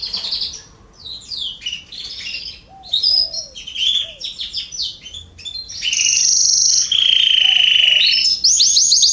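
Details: Garden canaries singing in September 2020: scattered quick chirps and twittering notes build into long loud buzzy trills and rapid repeated phrases.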